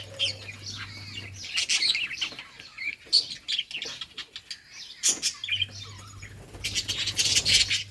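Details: Several budgies at play on June 17, 2023, chattering with rapid high chirps, clicks and brief warbling phrases, broken by short pauses and wing-flutter noise, with a low hum in parts.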